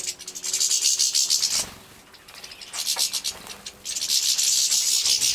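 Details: Captive-bred young European goldfinches in Poland, 2017, calling while being fed: dense, high, hissing-buzzy chatter in two long bursts separated by a quieter gap of about two seconds.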